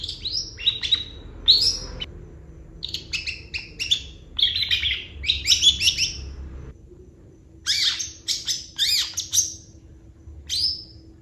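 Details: Long-tailed shrike singing vigorously in the 'gacor full isian' style, packed with fill-in phrases: rapid bursts of sharp, high chirps and short twittering notes in dense clusters, pausing briefly near two and seven seconds, with a faint low hum beneath.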